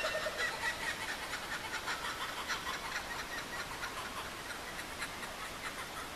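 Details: Kookaburras calling in the dark just before dawn in May 2012 at Mt Field National Park, Tasmania, under swamp gums near a river: rapid, rollicking chuckles piling into continuous raucous laughter, about two bursts per second.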